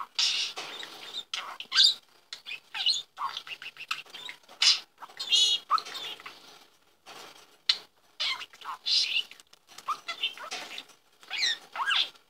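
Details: Pet budgerigar Alex chatters in quick, scratchy warbles and high chirps, with brief pauses between bursts. He is enchanted by a toy, and the owner calls him obsessed with it and says he attacked her.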